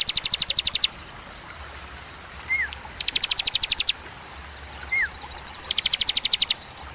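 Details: Bar-winged prinia in 'tembakan' song, clear and spaced with pauses, meant not to stress birds: three short bursts of rapid high repeated notes, each separated by a quiet gap holding one thin upswept chirp.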